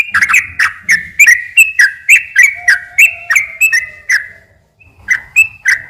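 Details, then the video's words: Energetic sooty-headed bulbul 'ropel' song meant to entice other bulbuls: rapid bubbly chirps, then a half-second silence, then a few more notes. "kicau suara trucukan gacor ropel pelan dan ropel panjang ini cocok tuk memancing trucuk bahan ombyok"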